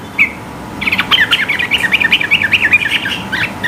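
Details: Sooty-headed bulbul in full rapid 'gacor ropel' song, high-pitched and meant to provoke rivals into singing: a brief note, then a dense run of bubbly, warbled chirps sliding between notes for nearly three seconds. Faint background hum.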